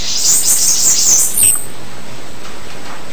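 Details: Rapid, thin, high bananaquit song: a sizzling run of tiny squeaky notes for about a second and a half, ending in a lower chip.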